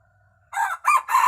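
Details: Wild red junglefowl rooster crowing: after half a second of near silence, a loud, harsh crow in three strong bursts, the last one cut short at the end.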